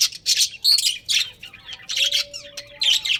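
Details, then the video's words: Breeding pair of pet budgerigars giving separate bursts of scratchy chirps and squawks about twice a second, with a thin steady tone faintly in the background. "Cute Budgies Breeding Pair | Budgies Chirping Sounds"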